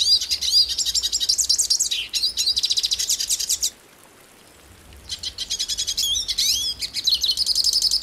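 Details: Rapid high twittering song of the hooded siskin from Brazil, with quick chirps and swooping whistled notes, broken by a roughly one-second pause in the middle before the warbling resumes.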